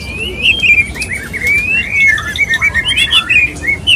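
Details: Male white-rumped shama wooing a female, pouring out a rich warble of slurred whistles, quick chirps and rising sweeps in a steady, bubbling flow.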